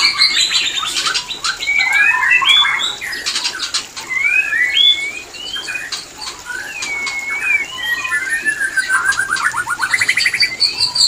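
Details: White-rumped shama mating call meant to bring birds into breeding condition: looping whistled slurs, rising and dipping, mixed with dry clicks and buzzy rattles, delivered continuously.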